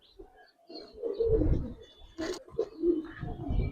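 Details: Silver Budapest highflyer pigeons in their loft give low, soft cooing phrases that swell and fade, with a brief scraping clatter near the middle and a muffled indoor rumble beneath.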